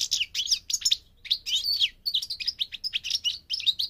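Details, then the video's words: Goldfinch on migration in continuous song, a fast jumble of high, liquid twitters and buzzy trills with brief pauses between phrases. "The singing of the migrating goldfinch"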